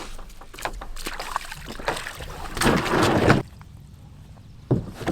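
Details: Paddling and boat noise with wind buffeting the microphone, a loud rushing burst midway and faint speech, but no animal calls.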